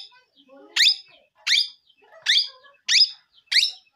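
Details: Parrot calling out five loud, harsh, rasping syllables about every two-thirds of a second, each a short downward sweep, with faint murmuring between them.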